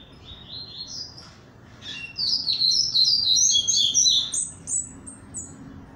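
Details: Barra Mansa style double-collared seedeater just out of moult, eager to sing: rising whistled notes, then a rapid, loud run of sharp, twittering trills that fades into short high chirps, over a low room hum.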